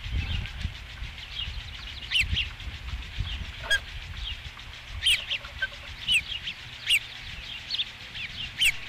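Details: Osprey calls at the Dunrovin Ranch nest on 5 July 2016, first fish: sharp, high, whistled chirps spaced about one second apart, each a short downward slur, over a low steady hum.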